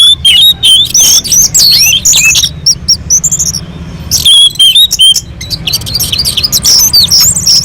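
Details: Song of an orange-headed thrush on a mountain slope, used to prompt other birds to sing: dense, high whistled phrases with rapid trills and slurred notes, briefly pausing midway before resuming, over faint low background noise.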